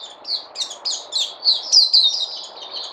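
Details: Kept bird giving a continuous series of high, slurred chirps and warbled notes, rising in loudness toward the middle, over a low steady hum.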